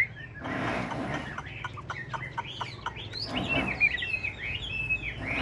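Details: Large caged Chinese hwamei of the ngũ trường type, singing while nodding and performing a lion-dance display; loud whistled phrases sliding up and down, broken by two bursts of broad rustling noise.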